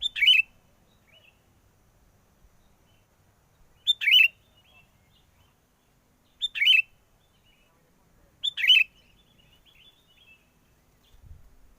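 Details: Sooty-headed bulbul lure song for trapping birds, recorded in strong wind: four short, liquid, warbled phrases repeated about every two and a half to three seconds, with a quiet background between them.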